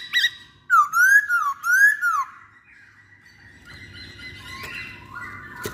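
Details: Masked laughingthrush, called poksay hongkong, in a pancingan lure recording: a short sharp note, then two loud wavy whistled phrases rising and falling, followed by quieter blurred chatter and a low background hum.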